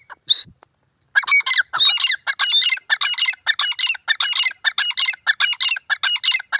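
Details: Grey francolin calling loudly: after a short opening note, harsh ringing multi-part phrases repeat in a fast, steady series of about ten per five seconds, each phrase with bright overtones. No other sounds are heard.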